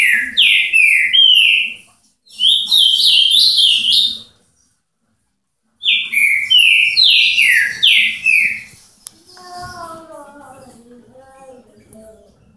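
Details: Paraná song of the azulão (ultramarine grosbeak): three bursts of rapid, sweet, down-slurred whistles, each about two seconds long with short pauses, followed by a softer series of lower harmonic tones at the end.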